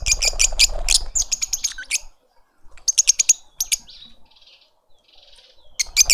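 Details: Lovebirds feeding a juvenile in a South African suburban garden, Pretoria: fast strings of piercing chirps about three per second, a pause with soft rustling, then another shrill burst.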